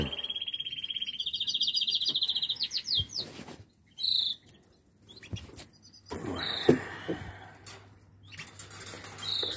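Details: A male canary, one of the breeding pairs just put together, sings rapid trilled phrases and bright chirps to the female, with a man speaking quietly in the background; finding: Belgian canary.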